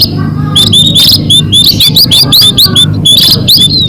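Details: Munia lure sound for catching birds: a lively chatter of high, thin, upslurred whistled notes repeated quickly, several birds overlapping, with a faint lower tone and constant background hum.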